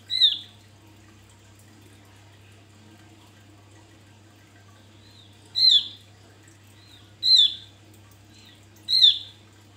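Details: Javan grey-throated white-eye, a lure bird for provoking others: short, bright, high notes slurring downward, with a pause and then three more in quick succession, over a constant low electrical hum.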